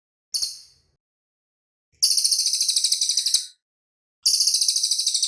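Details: Clean master recording of a cililin bird: a brief high note, then longer bursts of rapid, sharp, evenly spaced pulses forming shrill trills.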